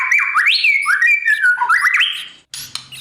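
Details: White-rumped shama morning song for training a young bird to sing in competition: a fast string of loud swooping whistles rising and falling, ending abruptly with a brief noisy burst.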